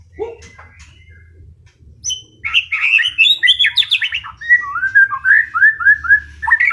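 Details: Wild-caught long-tailed white-rumped shama from Tegal giving a varied song: soft scattered chirps first, then a rich burst of jumbled whistles and rasps, followed by a series of repeated, falling whistled slurs.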